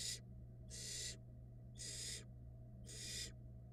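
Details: Barn owl young being fed by the female in a Florida nest box: four loud, strongly breathy screeching hisses, each under half a second, coming about once a second over a low background hum.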